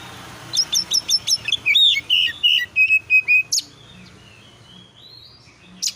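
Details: Magpie-robin singing as a lure to make other birds reply: a quick series of bright, piercing whistles followed by fuller warbled notes and slurred phrases, ending in quiet broken by a final sharp note; a low background hum persists.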